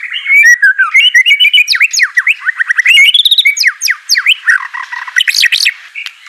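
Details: White-rumped shama song for training a reluctant singer: a tumbling stream of varied whistles and sharp, steeply falling notes, with rapid chips between phrases.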